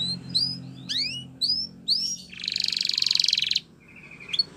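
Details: Spanish Timbrado canary training song, softer: a few slurred upsweeping whistles, then a dense buzzy trill lasting about a second, and a single faint closing note.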